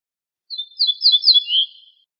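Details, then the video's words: Song of an ortolan bunting, known as al-bouh, taken from a CD: a string of about four ringing high whistled notes sliding into a slightly lower final tone, heard alone without background noise. "طائر درسة الشعير(البوح)Bruant Ortolan"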